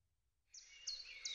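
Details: A long-eared owl staying for a while in a garden gives a thin, high, screechy call that slides slightly downward, with two sharper squeaks in under a second, over a faint low rumble.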